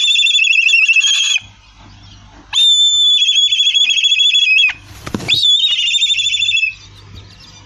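A black kite gives three shrill, whistled calls, each a drawn-out high note breaking into a quavering, whinnying trill, with brief quiet gaps between.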